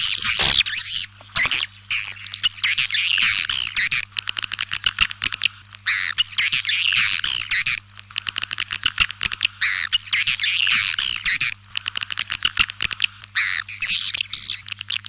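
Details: Swiftlets calling, a dense stream of rapid buzzy chirps and clicks in quick bursts, pausing briefly now and then, with a steady low hum beneath.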